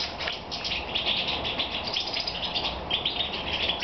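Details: European goldfinch shedding feathers, singing one evening in Romania on 22 May 2014; lively stream of chattering chirps and a few clear whistled notes near the end, over a constant hiss.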